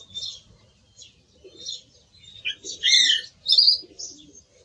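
A song thrush sings short, varied phrases of bright, high whistles and chirrups, growing louder and richer midway, with a faint low rumble underneath.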